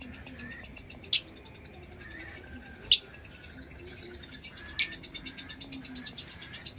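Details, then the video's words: Lovebird giving three sharp, loud, high chirps about two seconds apart over a steady, rapid, pulsing high-pitched chatter, with a faint low hum in the background. "Lovebird Chirping Sounds"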